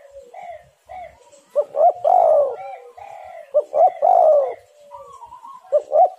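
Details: Spotted dove coo played to lure wild doves into calling: three phrases of short notes building into a drawn-out rolling coo, the last one cut short, with higher whistled bird notes between.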